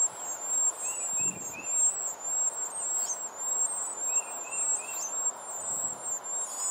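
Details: Hungry wren chicks, four in the nest, beg while both parents bring food. A shrill, high wavering whine runs almost nonstop, with short quick triple chirps lower down twice and faint rustling.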